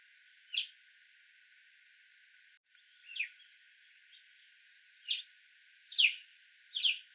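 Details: Five brief, shrill Alpine chough calls, each a quick falling whistle, spaced irregularly with a short break near the middle and the last two loudest, over a faint steady background hiss.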